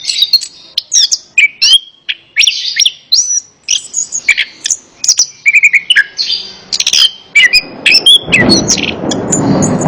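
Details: Orange-headed thrush song played as therapy to coax a reluctant bird into singing: rapid, varied whistled and chattering phrases with sharp clicks, closing in a rough burst of broadband noise.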